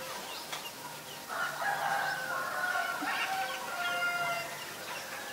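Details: Black-collared starling recorded in Ubon Ratchathani, Thailand, on 17 April 2022: a harsh, raspy outburst lasting about three seconds, threaded with clear whistled tones and squeaky notes, after faint scattered chatter.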